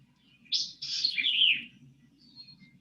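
A White-eyed Vireo gives one quick, emphatic phrase about a second long: a sharp opening note, then a jumbled run of high notes that slides lower. A faint low hum underlies it.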